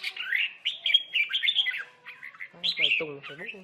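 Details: Red-whiskered bulbul singing in a fighting contest: a run of fast, liquid warbling phrases, then harsh buzzy squawks with low rasping undertones near the end.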